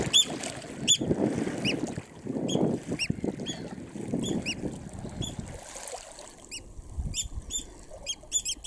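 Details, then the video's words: Eurasian oystercatcher chicks at RSPB Snettisham, Norfolk, in July 2016: scattered high thin peeps, then a denser burst of repeated peeps near the end, with low rumbling noise in the first half. "Oystercatcher chicks close up"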